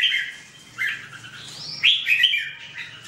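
A red-whiskered bulbul gives bright, chirpy whistled phrases that rise and dip, in two or three quick bursts, over a faint low hum.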